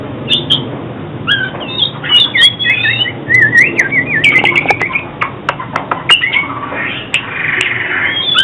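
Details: Song of the oriental magpie-robin, played for trapping and voice training: rich warbling whistles in a flowing run, wavering and trilled notes around the middle, with scattered sharp ticks.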